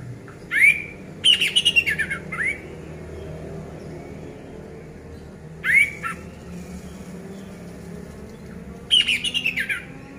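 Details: Orange-headed thrush singing, meant to coax silent birds back into song: three bursts of rapid whistled phrases mixing upslurs and downslurs, separated by pauses of several seconds, over a quiet humming background.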